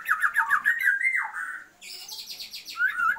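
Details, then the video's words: Female Oriental magpie-robin calling to a male to stir his breeding drive: quick trilled warbles, a long slur dipping sharply, a rasping buzzy burst, then a rising whistled phrase. "Murai BETINA panggil-panggil Pejantan"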